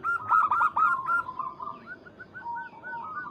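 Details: Local zebra dove calling a rival: a loud cluster of quick coos that fades into softer, spaced, slightly falling notes.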